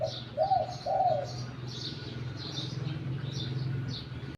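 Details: Wild-caught decoy spotted dove with a medium-to-deep voice giving a brief two-note coo at the start, followed by low rumbling hum and scattered high bird chirps.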